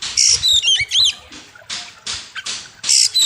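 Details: Sharp, loud oriental magpie-robin (kacer) song from a training master: quick whistled slurs and chattering notes followed by repeated harsh buzzy bursts about every half second.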